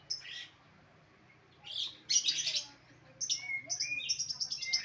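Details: Lovebird giving bursts of shrill, high chirps and squeaky twitters in scattered groups, with quiet pauses between them.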